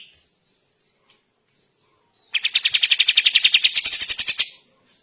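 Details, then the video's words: Bulbul in a songbird-training masteran: faint scattered chirps, then a sudden loud two-second rattle of rapid, bright chips, with higher overtones swelling toward the end. "KAPAS TEMBAK GACOR DORRRR"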